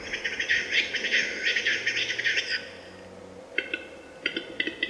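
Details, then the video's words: A male western capercaillie (Tetrao urogallus) sings its lek song in bad weather: a run of rapid, scraping, hissing phrases, then a pause and a few sharp dry clicks, with weather noise rustling underneath. "Глухариный ток в непогоду"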